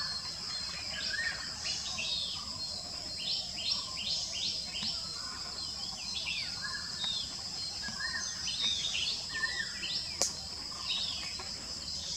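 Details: White-bellied drongo recorded on 16 April 2022 at Navadarshanam: a run of short, bright, rapidly repeated whistled and chattering notes, many sweeping downward, over a steady high hiss of insects.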